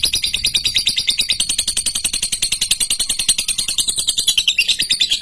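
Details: Female lutino lovebird, a fighter bird, delivering long ticking trills: a fast, even run of sharp clicks, about three per second-fraction, with a bright buzzy band sliding slightly downward throughout.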